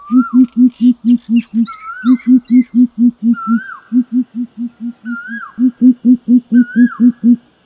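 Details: Continuous low, booming hoots of a greater coucal in repeated rapid runs, recorded as a lure, while another bird repeats a clear, downslurred whistle every second or so and softer chirps sound behind.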